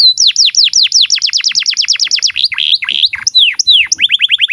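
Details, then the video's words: Long canary song meant for tutoring young canaries and birds that have stopped singing: rapid series of downward-sweeping whistles, about three per second, shifting into varied slurred notes and a closing fast repeated phrase. "SUARA BURUNG Kenari GACOR PANJANG INI Cocok untuk Masteran KENARI PAUD dan Kenari Macet BUNYI"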